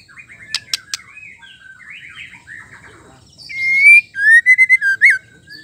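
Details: Female white-rumped shama singing, used to stir males into song. Two sharp clicks come first, then soft varied warbles. The song ends in a loud burst of clear whistled notes, some rising and some falling, repeated quickly.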